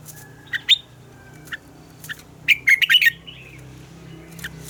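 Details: Red-whiskered bulbul singing its morning double-note song, a mature wild bird: scattered sharp upslurred chirps, then a quick run of bright warbled notes around the middle, over a low steady hum.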